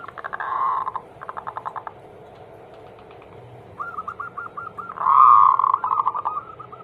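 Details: Zebra dove song meant to coax other doves into singing: a loud throaty burst and stuttered notes, a quiet gap, then a rolling series of short coos rising into a strong emphatic phrase before trailing off.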